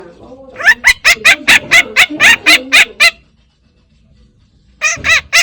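A budgerigar gives a fast run of loud, harsh chirps, then another brief burst after a pause.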